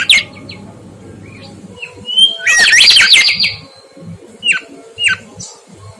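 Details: Mangrove whistler singing vigorously, recorded as a tutor track for training cage birds: scattered short high whistled notes, some sliding downward, then a loud dense burst of harsh chattering notes mid-clip, followed by more brief whistles over a low steady hum.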